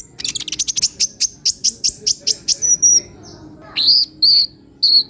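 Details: Sunbird known locally as kolibri ninja gives a fast series of high ticking chirps, then breaks into longer piercing whistled notes with rising starts, spaced about half a second apart.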